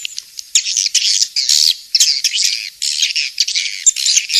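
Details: Swiftlet, 'King's Star' style sound used in swiftlet farming: shrill, harsh twittering chatter in close bursts of varying loudness, high and continuous for four and a half seconds.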